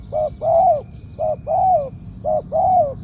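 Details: Mid-voiced spotted dove decoy repeating its 'kuk khu-ang' song: three quick pairs of a short clipped coo and a longer arched coo, about one pair per second.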